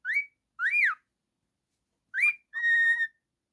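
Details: Male cockatiel singing and whistling indoors as a pet, a rising whistle and a long arched note, then a rising whistle and an extended flat tone.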